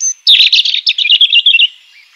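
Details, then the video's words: Wild European robin singing a rapid, high, jumbled phrase of short warbled notes and trills, lasting about a second and a half after a brief thin whistle, then fading. "european robin chirping in the wild"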